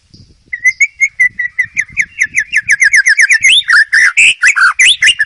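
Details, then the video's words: White-rumped shama in the wild, for training young birds: a long steady stream of rapid repeated chip notes speeding into rich rolling, warbled whistles. "MASTERAN MURAI BATU DIALAM BEBAS"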